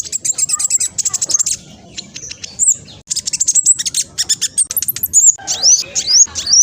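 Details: Speckled black sunbird in energetic fast song meant to provoke other birds into responding: quick strings of piercing high chips, rattling trills and thin upswept whistles, delivered in hurried bursts.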